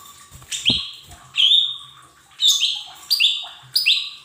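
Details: Training song of a Lesser green leafbird, played to coax untrained cage birds into song: sharp upward-sweeping whistled notes that flatten into bright tones, delivered in quick clusters, with a low thump early on and faint hum behind.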